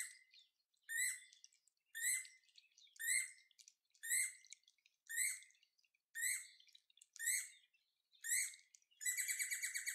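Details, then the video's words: Levaillant's cuckoo, recorded 16 January 2022, gives loud, ringing, slightly rising notes about once a second, ending in a fast stuttering chatter; nothing else intrudes. "Levaillants Cuckoo Calling"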